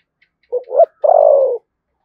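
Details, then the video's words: Spotted dove from Đồng Nai, Vietnam, singing in the deep 'thổ sấm' voice style with 'thúc gù' cooing: a short double coo followed by one long, steady, slightly falling low coo, in an otherwise quiet setting. "cu gáy giọng thổ sấm Thúc Gù bài bản chuẩn nhất Đồng Nai"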